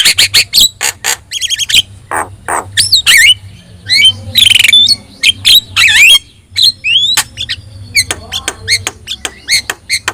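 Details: Energetic song of a yellow-eyed Javan myna, meant to teach other cagebirds: dense run of squawks, buzzy bursts and a few sliding whistles with almost no gaps, over a faint low hum.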